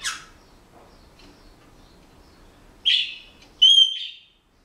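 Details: Senegal parrot kept at home: a short squeaky burst, then a clear, steady whistle held for about half a second from a bird learning to whistle a song.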